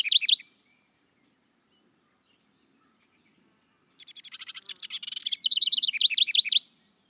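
A House Wren's jumbled, bubbly song: a quick burst of rapid chattering notes tumbling into a rolling trill, after a short opening note and a pause.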